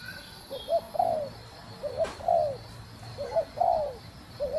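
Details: Spotted dove hen cooing to excite the male. Short soft notes lead into drawn-out, mellow, falling coos, repeated in a steady rhythm of several phrases over a few seconds. One faint click.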